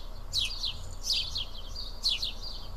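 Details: Sparrows sitting and eating together at Karyotissa in Greece give loud, clear chirps in three quick clusters about a second apart, each a sharp descending note followed by a short flat tail, over faint low hum.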